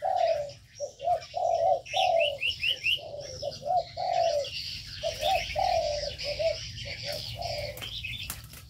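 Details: Caged birds in an aviary give repeated soft, low coos in quick succession. Bright, rapid chirp series and a high twittering wash sit above them, over a low steady hum.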